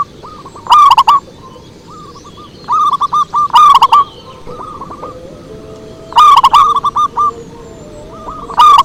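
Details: Zebra dove song used as a lure (pikat): bursts of rapid cooing roughly every 2.5 to 3 s, each followed by a string of softer clipped coos, over a low background hiss.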